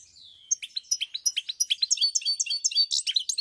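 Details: Goldfinch song from 7 March 2021, opening with a thin descending slur, then a rapid, tinkling stream of high chirps and twitters that grows denser and louder, with no other sounds.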